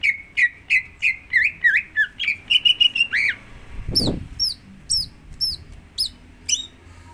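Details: Lure song of a Greater green leafbird, used to prompt another bird into singing: a rapid series of twisting whistled notes, a dull thud midway, then thin, very high chips spaced irregularly.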